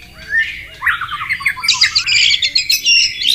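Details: White-rumped shama in the wild by flowing water, giving mostly harsh, buzzy, scratchy notes with a few short whistles in a busy sequence.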